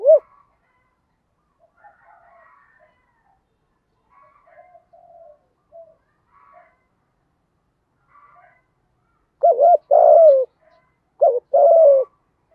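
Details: Decoy spotted dove with a 'giọng thổ' voice, used to rouse wild doves: a long stretch of faint scattered soft notes, then near the end two loud mellow cooing phrases in quick succession.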